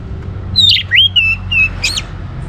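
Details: Brief burst of orange-headed thrush song meant to spur other birds to sing: a clear whistled note falling into a rising slur, then short flat whistles and a quick high flourish, with low background hum.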